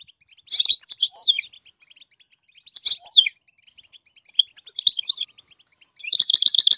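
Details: Goldfinch singing to teach its chicks to sing, with high, liquid twittering phrases of tinkling and buzzy notes in bursts every one to two seconds, ending in a rapid trill.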